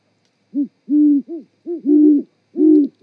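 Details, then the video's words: Great horned owl pair hooting a mating duet at the Charlo, Montana osprey nest, 18:12 on 7 February 2018: deep, soft hoots, some short and some drawn out, two voices overlapping at slightly different pitches, otherwise quiet. "GHO's nookie duet"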